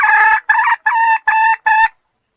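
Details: Red junglefowl lure sound with five loud, hoarse, evenly spaced clucking notes over two seconds, then silence.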